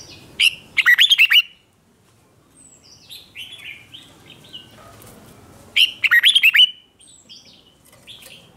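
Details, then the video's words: Red-whiskered bulbul singing a competitive fighting song meant to goad wild-caught birds: two bursts of quick, clipped whistled notes about five seconds apart, with softer slurred whistles between. "Kích Chào Mào Hót Ché/ Kích Chào Mào Bổi Hót Đấu Mới Nhất"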